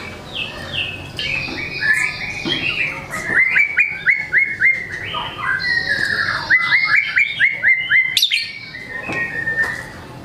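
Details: Energetic white-rumped shama song showcasing its varied material, meant to spur lazy birds to sing: a fast series of clear, repeated whistled notes with higher sustained whistles and scattered clicks.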